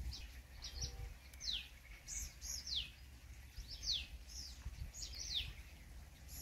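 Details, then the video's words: Purple sunbird in Ranthambore National Park, Rajasthan, India, giving thin, high, quickly descending notes, about eight in six seconds, over a steady low rumble of background noise. "Purple Sunbird Sound"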